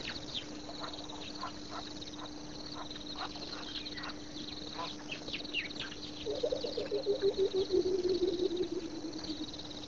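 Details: Coucal singing at Pete's Pond on 22 October 2006: a low, bubbling run of rapid hooting notes that slowly descends over about three seconds, following a stretch of high chirps and steady insect buzz, with a constant low hum underneath.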